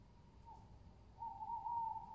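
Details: A faint short hoot is followed by a longer, louder, wavering hoot from a tawny owl, recorded on 22.07.20. A steady low background hum runs throughout.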